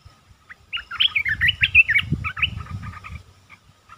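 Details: A rapid run of jumbled, chirpy warbles from a red-whiskered bulbul singing as a decoy to lure a wild bird, 29 July 2021, with a low rumbling background.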